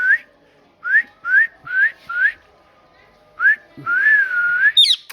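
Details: A talking parrot repeats short upward-sliding whistles, then holds a longer wavering whistle and ends with a high squeaky chirp.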